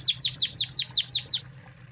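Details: Master song of a Spanish Timbrado canary from Spain: seven quick, sharp, downward-sweeping chirps in about one and a half seconds, then quiet apart from a low background hum.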